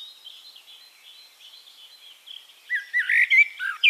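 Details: A Eurasian blackbird sings in Castricum, the Netherlands. Soft, thin chatter from other birds fills the first seconds before a short, loud, rich warbled phrase bursts in at the end.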